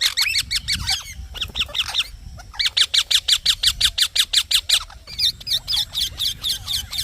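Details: Green parrot producing rapid strings of high chirping notes, a steady pulsed series in the middle, with more varied twittering toward the end.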